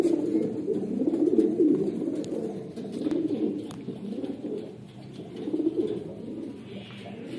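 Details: Red Lahore Siraji fancy pigeons, a domestic breed, coo in low, rolling, throaty murmurs that swell and fade in waves, with faint clicks and shuffles in the background.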